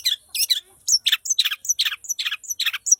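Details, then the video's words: Long-tailed shrike singing vigorously. Harsh, grating, high-pitched notes are interspersed with thin whistled accents in a rapid, uneven stream of about a dozen phrases. "Cendet gacor"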